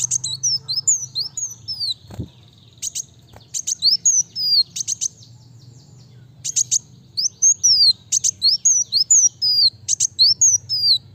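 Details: Fast, chattering song of a kowul sunbird, the Indonesian kolibri wulung: rapid high whistled slurs and sharp upward-then-falling notes mixed with short buzzy bursts, delivered in dense runs with one quiet gap, a soft knock early on, low steady hum.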